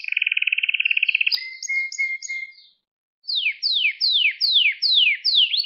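Canary song: a fast rolling trill, then clear whistled phrases, a brief pause and a run of quick, repeated downslurred notes about every half second.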